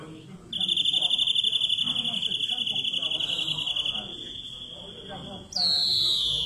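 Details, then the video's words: Greenfinch song: a long, steady, high buzzing trill of rapid pulses lasting several seconds, fading then stopping, followed by a loud wheezy note sliding downward. Soft background murmur. "Greenfinch Song"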